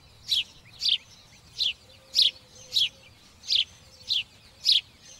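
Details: Sparrow giving a series of eight sharp, high chirps, each brief and evenly spaced roughly every 0.6 seconds, over a quiet background with a faint low steady hum.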